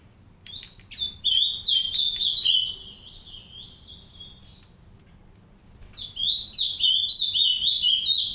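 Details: A green-winged saltator in an aviary, one of a pair caring for three chicks, gives two bursts of quick, bright, high warbling song notes separated by a few seconds of quiet, with faint rustling.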